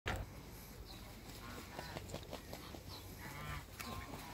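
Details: Hybrid Canada geese and Toulouse geese on a farm, met by a visitor; a few short nasal honks with a harmonic tone at about two and three and a half seconds, faint over steady background noise.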